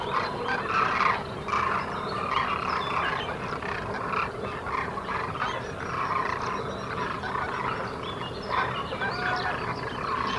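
Demoiselle cranes call in a dense flock, their hoarse, rolling croaks overlapping into a steady chorus with no pauses.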